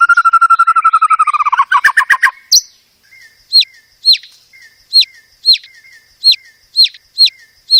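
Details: White-rumped shama song for songbird training: a fast rattling trill sliding lower, a harsh burst, then evenly spaced high whistled notes that each rise and fall, repeated about twice a second.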